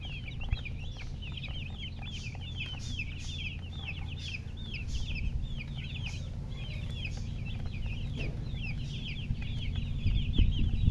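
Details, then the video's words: Chicks peeping together: a continuous stream of quick high chirps, several per second, over a constant low rumble. "Baby "Chicks Chirping" Sound"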